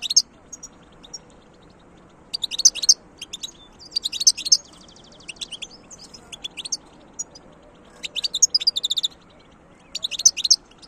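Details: European goldfinch delivering repeated bursts of fast, liquid twittering and chirping phrases, high-pitched and jumbled, with short silences between bursts.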